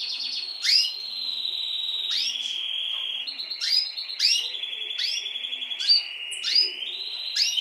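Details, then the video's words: Timbrado canary chicks of this season, offspring of a domestic singing bird: a steady buzzy trill held near one pitch, broken every second or so by sharp upward chirps that sweep high. "Pichones de canarios timbrados"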